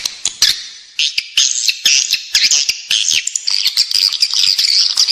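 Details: Edible-nest swiftlet lure sound played indoors in a building to draw swiftlets in: high, sharp chirps and buzzy twitters in irregular bursts, about two per second, with some clicking notes between them.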